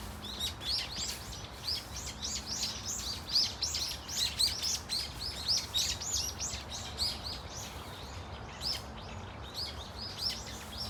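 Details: An excited flock of Brown-eared Bulbuls in Dunsan Grand Park fills the air with nonstop shrill, rising-and-falling squeals, several birds calling at once, about three to four notes per second, over a faint hum.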